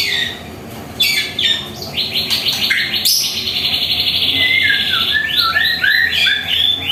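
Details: Morning song of a white-rumped shama at a home, a varied rapid stream of whistles: quick chattering notes give way to a long sustained high trill, then falling slurred whistles and a run of swift repeated phrases.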